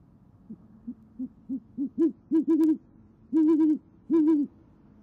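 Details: Low hooting at an Oklahoma City great horned owl nest, 28 January 2014, about 6:54 pm. The female calls her mate and he replies. Soft brief hoots swell into longer, wavering ones near the end.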